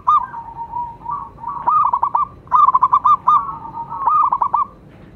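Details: Zebra dove of a local Indonesian strain singing to encourage other doves: continuous bubbling phrases of rapid clipped coos, rising and falling in loudness, with barely a break.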